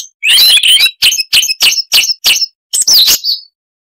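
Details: Siberian rubythroat in full song, its chattering voice full of variation: an opening scratchy warble, six evenly spaced sharp notes, then a final sweeping whistled flourish, with no background noise.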